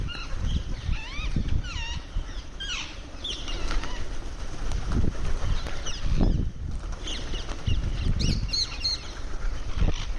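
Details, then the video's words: Ringneck parrot making sounds while it eats: short hooked chirps and squawks early on, then scattered sharp notes, over rustling and wing-flapping noise. "Cute Ringneck Parrot Making Sounds While Eating"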